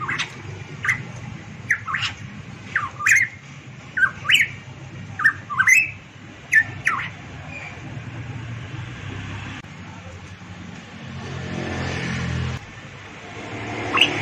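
Variable pitohui giving loud, ringing whistled notes that swoop down and up, about a dozen in the first seven seconds; steady background hum with a passing vehicle.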